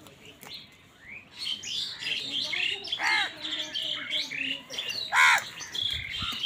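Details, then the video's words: Crows squabbling with wild birds over food; two loud, harsh, arching caws stand out among a busy chatter of smaller chirping birds. "Crow bird live crowing sounds | কাকের ডাক Crow Sound | Crows fight with wild birds for food"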